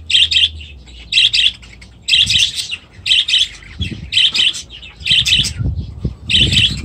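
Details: Budgerigars in aviaries with new chicks: loud sharp chirps in quick pairs and triplets, repeated roughly once a second, high and clipped, with a low murmur of other birds and rustling underneath.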